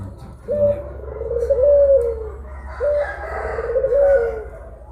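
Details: Puter pelung collared dove cooing: two long, drawn-out, mellow coos, each opening on a steady note and then sliding gently downward, with a short pause between them over a low background hum.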